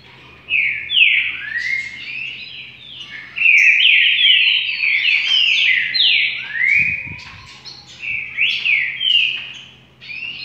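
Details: Rufous-collared sparrow song: sweet whistled notes and slurred descending trills, bright and clear, several phrases strung together with short pauses and a faint low hum underneath.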